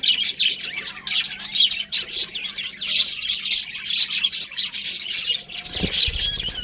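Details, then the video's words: Chirping budgerigars in lively, dense twittering of high warbled notes and clicks, with a soft thud near the end. "Cute Budgies Chirping Sounds"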